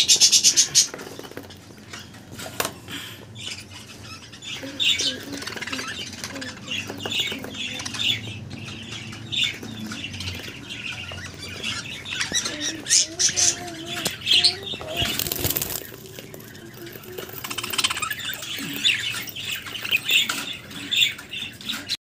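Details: Captive breeding budgerigars in rainbow colours chatter with rapid, high warbling chirps and squeaks, mixed with wing flutters and clicks.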